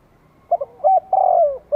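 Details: Vietnamese spotted dove calling as a decoy to draw in wild doves: two short clipped notes, a rising coo, then a long smooth coo bending downward, with the next phrase just beginning.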